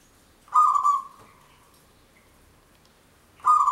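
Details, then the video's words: Long song of a local zebra dove, a frequent singer, used as a trapping lure: a loud, rapid, throbbing cooing burst trailing into a soft sustained note, then silence before a second burst begins. "Perkutut lokal gacor manggung suara panjang"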